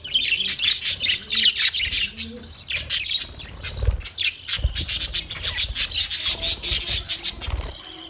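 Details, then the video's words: Parrots chirping on 20 November 2023: loud, busy bursts of high, sharp chirps and tweets, many overlapping birds calling in rapid clusters with brief pauses, plus faint low thumps. "Birds chirping sounds Beautiful chirping sound Parrot"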